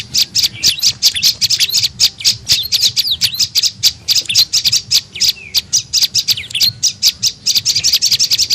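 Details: Tailorbird (prenjak lumut) calls played as a lure to draw in birds: fast, busy stream of shrill chirps and squeaky notes repeated several times a second, steady and unbroken, with a soft low background hum.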